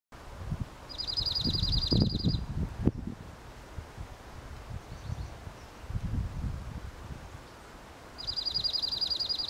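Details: Slate-colored dark-eyed junco singing two fast, even trills of rapidly repeated high notes, each lasting over a second and spaced several seconds apart, over low rustling and wind noise.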